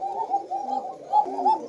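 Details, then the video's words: Female domestic Koka pigeon of a breeding pair with a young chick, calling at a farm; low throaty warbling coos, continuous and wavering, with pulses of louder rolling sound through the short stretch, recorded indoors. "প্রিয় দর্শক এখন মাদি ডাকছে। আমি বাচ্চা বের করবো এখন।"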